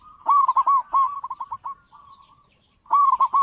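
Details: Local zebra dove (perkutut lokal) with a big voice, used as a lure for trapping doves: a bubbling burst of quick coos followed by a string of shorter, fading notes, then a fresh loud phrase.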